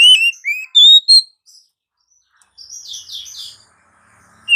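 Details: Oriental magpie-robin (Kacer) singing in the morning: clear, slurred whistles, some rising and some falling, given in quick succession, then a softer buzzy, warbling phrase, with a final loud whistle.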